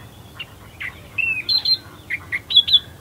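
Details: Calling from the reeds at first light at Herdsman Lake, Perth, Western Australia, an Australian reed warbler delivers varied chirps and rich, repeated warbling notes, some whistled and slurred, with a faint low hum behind.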